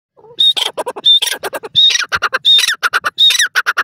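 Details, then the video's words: Grey francolin calling loudly: a repeated pattern of a high clear whistle followed by harsh ringing notes and rapid clicking bursts, about five phrases in four seconds. "dakhni teetar ke boli,teetar sound"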